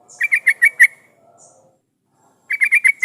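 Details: Lure song of a yellow-vented bulbul for making other bulbuls sing: a run of five bubbly, bright chirps, a pause, then another fast five-note run.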